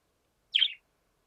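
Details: A rook perched on an antenna gives one short, harsh, raspy note, about a quarter-second long, slurring slightly downward; the call is not repeated and no other sounds are heard.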